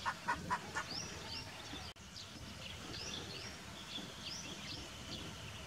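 Indian roller giving three quick, harsh croaking notes at the start, followed by thin, high twittering from other birds over a steady outdoor hiss.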